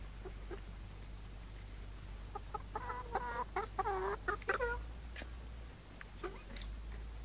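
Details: Free-range farm chickens in Ontario, Canada: quiet start, then a burst of rapid, stacked clucks and short nasal calls in the middle, tailing off into scattered softer clucks over steady low hum.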